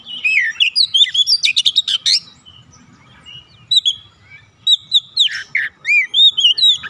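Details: Oriental magpie-robin, a caged kacer, in full song: rapid bursts of whistled, chattering and scratchy notes, a brief quiet stretch, then another lively run of curling whistles.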